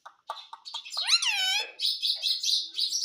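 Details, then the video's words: Talking pet parrot producing a few clipped chirps, then a long arched screech that rises and falls, followed by raspy hissing chatter; indoors. "Mummy Bolta Tota _ Parrot Speaking mummy mummy _ Talking Parrot"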